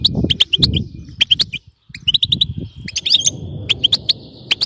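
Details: European goldfinch in 'batbata' twittering song, meant to keep a goldfinch singing: bright clipped chirps in short bursts, a brief pause midway, then denser twitters, with a steady low rumble underneath.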